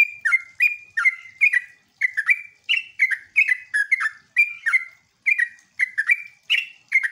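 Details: Sooty-headed bulbul lure song meant to set other bulbuls calling back: a steady run of rapid, bubbly whistled phrases, each note slurring down then up, repeated without pause.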